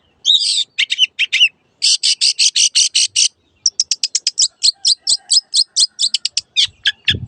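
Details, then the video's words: Long-tailed shrike, a master recording for training caged birds that have stopped singing or changed owners: a fast harsh burst, then rapid even chattering notes about six per second, then quicker clipped repeated notes. "MASTERAN BURUNG CENDET SANGAT COCOK BUAT CENDET MACET BUNYI ATAU PINDAH JURAGAN"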